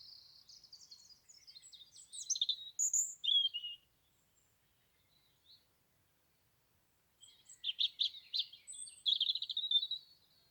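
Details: European robin and other birds singing locally in Dartington. Two bursts of high, scratchy warbling phrases with quick notes are separated by about three seconds of near silence.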